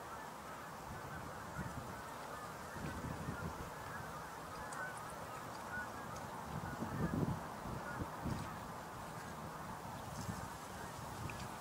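A large flock of snow geese keeps up a dense, overlapping chorus of nasal honks that blends into a steady clamor, with a few louder calls standing out.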